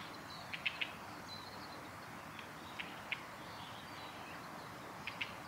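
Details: Male red-flanked bluetail on a forest road in Japan, 20 December, gives short, sharp ticking notes, mostly in quick pairs, about every two seconds over a soft hiss of background noise.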